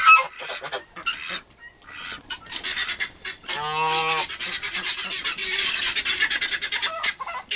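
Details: Two young turkey toms, both about four months old, fighting; a loud nasal, harmonic honk rises out of scratchy, rustling commotion midway, with shorter rough calls and scuffling before and after.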